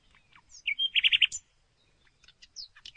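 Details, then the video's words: Common nightingale (Luscinia megarhynchos) phrase: a brief whistle, then four loud rich repeated notes, a gap, and scattered thin high chirps and slurred notes. "Canto Do Rouxinol"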